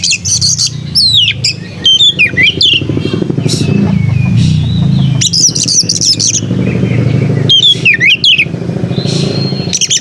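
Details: Oriental magpie-robin (kacer) singing melodiously: short bursts of high whistled, swooping and chattering notes separated by gaps, over a steady low rumble of passing motor vehicles and engine revving.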